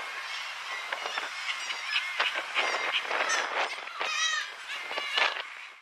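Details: Black-legged kittiwakes give harsh, nasal, overlapping calls, some with rising and falling wails, in a busy seabird chorus with no pause; Látrabjarg cliffs, Iceland, June 2019.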